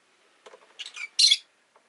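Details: Pet rosy-faced lovebird: a few soft scratchy notes build into a loud, harsh, buzzy shriek lasting a quarter second, then quiet.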